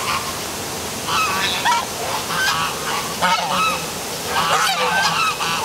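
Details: A flock of geese calling in the dark by the downtown Milford, Connecticut waterfall, a near-continuous chatter of overlapping, nasal honks, some rising, heard above the constant roar of the falls.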